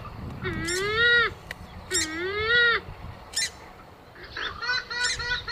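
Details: Hunting lure recording of a purple swamphen: two loud, nasal, bending honks about a second apart, then a short sharp note and a quieter, shorter harmonic call near the end, with light background noise.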